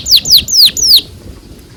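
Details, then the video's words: Canary song from a training recording for young canaries: four high descending whistled notes in quick succession, then quiet. "PANCINGAN Kenari GACOR PANJANG Cuit CUIT EMOSI ini AMPUH utk MASTERAN Kenari PAUD belajar BUNYI"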